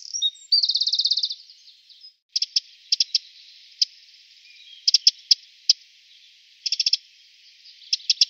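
A Eurasian wren gives one fast, high rattling trill, then sharp ticking notes in ones, pairs and quick bursts of three or four, with a quiet background.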